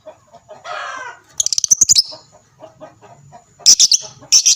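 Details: Lovebird calling as a lure to prompt other lovebirds to reply: a lower raspy, nasal burst, then a quick run of piercing high chirps, a pause with faint murmuring, and two more shrill chirp clusters.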